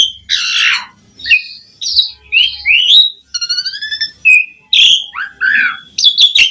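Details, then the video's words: Asian pied starling with a varied song mixing harsh rasping notes, clear rising whistles, a short stuttering buzzy trill and sharp squeaks, with faint low thumps beneath. "Suara Jalak Suren Gacor Auto Bongkar Isian Variasi"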